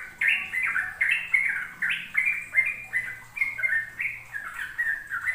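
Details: Sooty-headed bulbul singing the ropel style, played to teach young birds: clear, bubbly two- and three-note phrases, each rising then dropping, repeated roughly every second over faint low hum.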